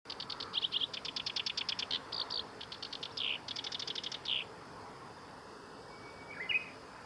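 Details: At the North Fuji training ground, Japan, on 23 July 2021, a black-browed reed warbler sings fast, scratchy series of repeated high notes, switching phrases every second or so, then falls quiet apart from a faint distant call.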